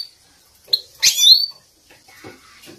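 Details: Captive European goldfinch training recording, female calls used to excite males into song: a short chirp, then a louder buzzy burst ending in a bright upward slur, followed by faint soft rustling.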